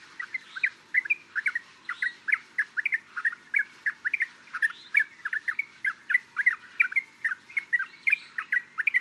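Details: Yellow-vented bulbul in Thailand, a lively run of quick liquid chirps repeated in uneven clusters, with no other clear sounds.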